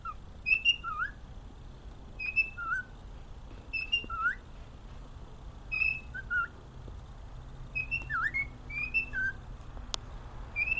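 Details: A happy pet cockatiel whistles a tuneful melody of clear, swooping notes, repeated in short phrases as song.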